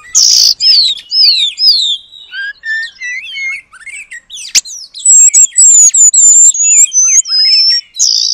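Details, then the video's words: Vigorous song of an oriental magpie-robin used as training material imitating the long-tailed paradise bird: descending slurred whistles, scattered chips, then a loud string of clear high whistled notes, ending with a short buzzy note. "Kacer Gacor Materi Burung Surga Ekor Panjang"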